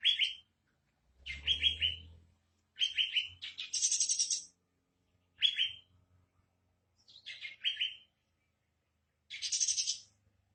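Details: Sooty-headed bulbul song played to lure captive birds into singing: short bright phrases of three quick descending whistled notes, alternating with harsh buzzy chatter bursts, repeated about every one to two seconds with brief low thumps between.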